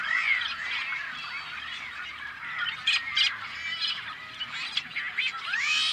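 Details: A nesting Tricolored Blackbird colony on a Central Valley farm, California, in May 2012: crowded, overlapping nasal calls with several louder, harsh bursts near the middle and curling, slurred notes standing out from the steady background clamor.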